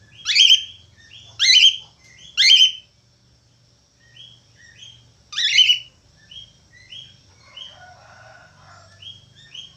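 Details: Budgerigar singing, described as chatty: loud harsh rasping calls repeated about once a second, with short rising chirps and a soft low warble between them.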